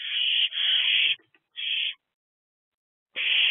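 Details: Owls active in a nest box after dark, 23 April 2024. A sustained, coarse hissing screech runs about a second, followed by a shorter rasp. Another screech begins after a long silent gap.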